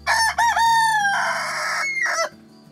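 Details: Rooster, the male chicken, crowing at sunrise to tell the henhouse it is alive and in charge; one long, loud cock-a-doodle-doo, broken into a rising start, a harsh sustained middle and a falling close, with faint music behind.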